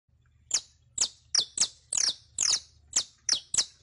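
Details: Captive saffron finch (canario criollo) song used to train other birds: loud, clear chips sliding down from very high pitch, nine in steady succession about every half second.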